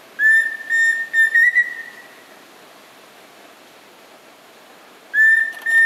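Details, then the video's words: Pheasant Cuckoo in the ruins of Tikal, Guatemala, giving clear, level whistles in quick runs of three or four notes, the last drawn out, repeating after pauses over steady background hiss. "Pheasant Cuckoo"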